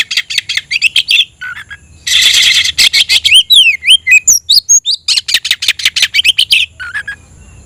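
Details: Oriental magpie-robin singing a challenge to a rival: quick scratchy chatter, a harsh rasping stretch, sweeping whistled slurs, then more fast rattling notes ending with low short calls.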